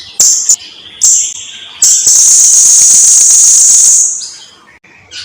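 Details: Blue-crowned hanging parrot singing, from a long tutoring recording: a few short shrill high bursts over a faint lower whistle, then a sustained two-second piercing buzzy trill that fades away.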